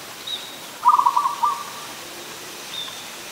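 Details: Adult zebra dove recorded 24 December 2020 in Ubon Ratchathani, Thailand, giving a single quick staccato run of coos that trails into a longer soft note, with faint thin high chirps before and after.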